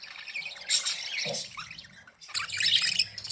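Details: Budgerigars happy and playing: dense high warbling chatter and squawks, a brief lull, then another busy burst of chirps.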